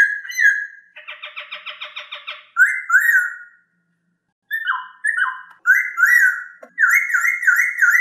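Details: Masked laughingthrush, a clear voice recorded for training other birds: fluty whistles, then a harsh, rapidly pulsing buzzy chatter of about a second and a half, then more rising and falling whistles repeated in quick succession after a silent gap.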